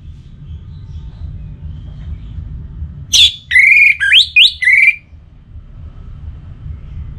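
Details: Anis merah, the orange-headed thrush, giving a 'pacingan' song played to prompt a kept bird to sing, northern Bali: a brief phrase of loud, bending whistled notes, rising and falling, set against a steady low hum.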